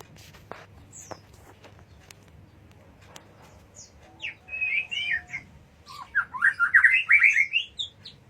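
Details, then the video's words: White-rumped shama singing two phrases of quick, varied warbling notes with sharp high whistles, after a quieter start with low background noise. "Suara murai batu"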